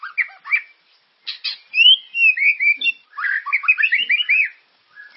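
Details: Lure song of a murai, White-rumped shama, to make caged birds sing: scattered sharp notes, then a flowing sequence of rising and falling clear whistles ending in rapid warbling.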